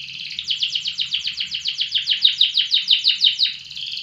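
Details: Loper-type canary singing a long unbroken roll of fast, repeated falling notes, roughly five per second, high and bright, with faint low noise beneath.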